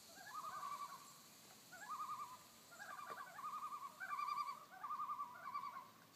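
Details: Tremolo alarm calls from a pair of common loons on a Minnesota lake, Fifth Crow Wing Lake at Nevis; fast warbling, yodel-like quavers in overlapping bursts, roughly one phrase per second, two voices trading calls.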